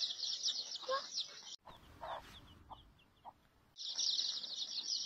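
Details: Domestic chicken chicks peeping: a dense, continuous chorus of high, shrill cheeps that breaks briefly into scattered single peeps before the crowded cheeping resumes.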